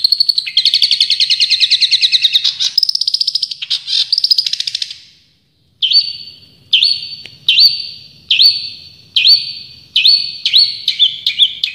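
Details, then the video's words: Champion Long-tailed shrike in tembakan-style song. A dense, fast buzzy trill runs for about five seconds, then after a short silence come sharp, loud downslurred notes repeated roughly every 0.8 seconds. "Masteran Cendet Juara full tembakan"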